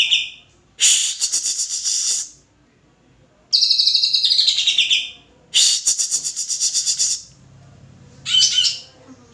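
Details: Greater green leafbird song in loud, high bursts: a rapid pulsed trill, then a slurred falling whistled phrase, another quick trill and a short final burst, with brief pauses and a faint low hum between.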